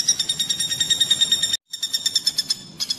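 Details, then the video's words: Pelatuk bawang, or common flameback, on a training recording for kacer birds: clipped, high, nasal pulses in fast succession, interrupted by a short dropout midway and a brief pause before the final notes. "BURUNG PELATUK BAWANG MASTERAN"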